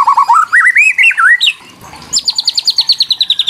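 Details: White-rumped shama singing to provoke other shamas: a wavering rising whistled phrase, a brief pause, then a rapid series of high clipped notes repeated about six times a second.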